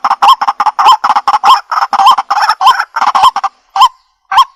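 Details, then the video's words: White-breasted waterhen giving a rapid, uneven series of harsh croaks and short clucking notes with brief gaps, then a few separate louder notes spaced out near the end. "White Breasted Waterhen Call"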